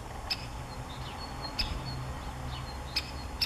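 Great spotted woodpecker giving four sharp, high 'kik' notes at uneven intervals over about three seconds, with faint thin bird chirps and a low background rumble.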